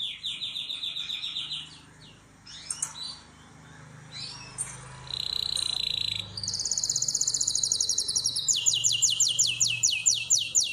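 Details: Canary in a breeding room where birds are prepared for mating: a brief high trill, a quieter stretch with faint scratchy sounds, then bright fast trills resuming at two different pitches.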